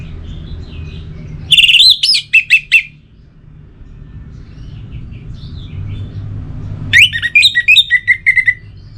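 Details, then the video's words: Caged orange-headed thrush sings two energetic bursts of rising and falling whistled notes mixed with harsher accents, separated by a pause with faint distant bird sounds and low hum. "98% Obat Gacor Burung ANIS MERAH Buat Burung Yang Lagi Malas Bunyi"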